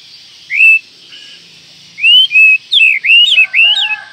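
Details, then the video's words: Whistled call of an Oriental magpie-robin, said to provoke other magpie-robins: a lone upslurred whistle, then a fast string of rising and falling whistles ending with lower, steady tones. "panggilan Kacer ini mampu mendobrak emosi semua Kacer dalam hitungan detik"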